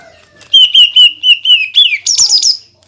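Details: Greater green leafbird delivering rapid-fire song to stir other leafbirds into singing: a fast string of clear downslurred whistles, then a higher, jumbled chattering flourish at the end.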